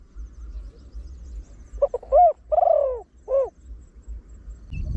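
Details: Trained spotted dove with a big, deep voice, cooing in the 'khan yon' style with one 'kuk' and rapid cooing, used as a lure for wild doves: a short run of low, arched hooting coos, one drawn out, over a low rumbling background.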